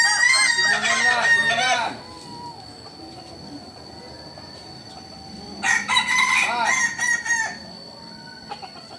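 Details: Native Solok Kukuak Balenggek chicken giving two loud, ringing crows, each about two seconds long, separated by several seconds of quiet background.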